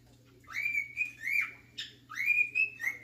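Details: Pet cockatiel, male, whistling The Sounds of Silence: rising slurred whistles that level off into sustained tones, three notes in quick succession, a steady electrical-sounding hum beneath.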